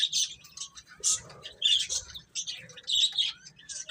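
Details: Baby chicken chicks chirping in short bursts of high, thin peeps, with brief quiet gaps between clusters and a faint low hum underneath.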